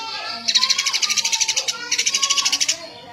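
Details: Eurasian tree sparrow in lively gacor song: two long, dense trains of sharp, high chirps, roughly a dozen notes each, over soft lower tonal sounds.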